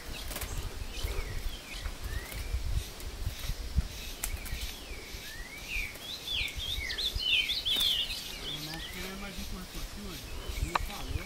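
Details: Captive-bred ultramarine grosbeak in woodland at Passos, Minas Gerais, Brazil, singing and fighting with a free wild bird; sliding whistled notes build into a quicker twittering phrase mid-way, over steady outdoor rumble.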